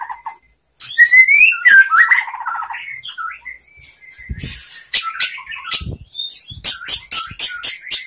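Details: White-rumped shama song played to get shamas singing: rising whistled slurs and a fluttering rattle, followed by a run of sharp, evenly repeated high chips.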